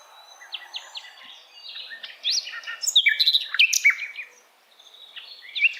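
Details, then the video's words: Asian brown flycatcher tutor song for songbirds: a soft, scratchy high warble that builds into a louder tumble of chirps and short whistles before fading. "Sikatan londo masteran yang mudah ditiru segala jenis burung kicauan"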